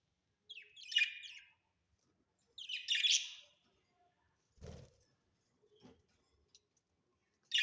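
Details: Pet budgerigars kept at home: short bursts of bright, scratchy chirping and warbling, each about a second long, separated by pauses, with a low thump near the middle and a final chirp at the end.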